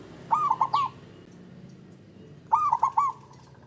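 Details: Male zebra dove giving its call, played to raise mating urge in a lazy caller: two phrases of four bubbling, rolling coos about two seconds apart, with low background rumble.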